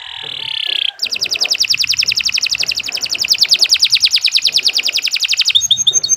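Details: Long, vigorous canary song used as a tutor for novice songbirds: a sustained high tone breaks into a rapid, steady trill of clipped notes lasting about four and a half seconds, with faint background noise.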